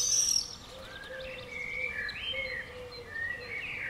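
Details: 'Bangers' of common swift at and around a house on 5 June 2011: a sharp, very high shrill scream opens, followed by softer whistled slurs from another bird and a low steady tone underneath.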